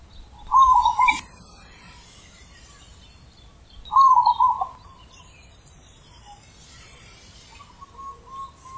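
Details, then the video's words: Zebra dove singing in the deep, big 'ulem' perching style: two gurgling, rolling coo phrases about three seconds apart, with soft fainter coos near the end over quiet rural background. "Perkutut Manggung ULEM Super BESAR"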